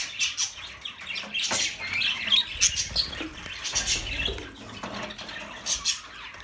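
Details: Budgerigar chatter: a lively jumble of high twittering notes and scratchy squawks from several birds calling at once, rising and falling in intensity, over soft low background noise.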